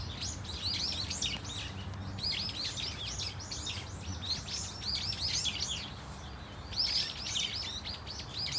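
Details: At Dunsan Grand Park, Korea, a flock of Brown-eared Bulbuls gives varied cries: bursts of rapid high slurred chirps with short pauses between clusters, low rumble underneath.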